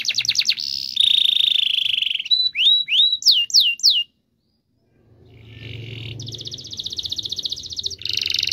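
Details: Canary song aimed at getting mute canaries to sing: trilled and buzzy phrases, a few swooping whistles, a silent gap, then a sustained rolling trill over low background rumble.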